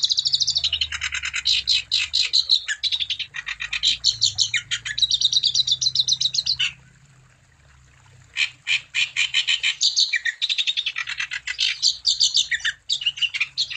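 Wambi pouring out rapid, high, chattering trills of repeated notes in long bursts, with a brief pause midway before the song resumes.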